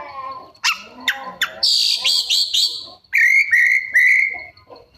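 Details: Kacer, the Oriental magpie-robin, singing energetically and delivering borrowed phrases: quick sharp chips, then a run of bright slurred whistles, ending in a long steady whistled note about a second and a half long.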